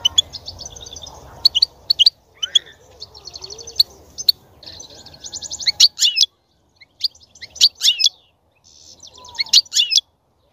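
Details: European goldfinch song to encourage a female to mate and breed: thin, liquid twittering trills interspersed with sharp high clicks, a brief pause, then louder clustered chirps and tinkling phrases over faint background hiss.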